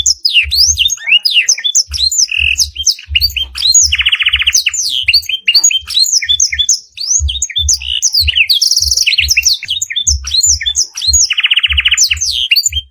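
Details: Canary master recording with black-throated canary fill, used to train other birds: continuous high chattering song with rapid sweeps and buzzy trill bursts, accompanied by a steady low rhythmic thumping.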